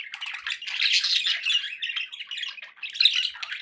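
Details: Indoor pet budgies twitter and squawk in overlapping buzzy phrases, a lively continuous chatter with small surges in loudness.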